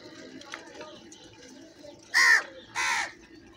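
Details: Crows in large numbers: two loud, hoarse, drawn-out caws in quick succession after a quieter stretch of distant calls, with a constant low hum in the background.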